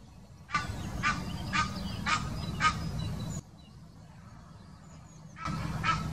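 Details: Mating call of an Egyptian goose, Wittlicher Senke, 2018: four rasping honks at half-second intervals, a quieter pause, then a further honking burst starting, all over a constant low background rumble.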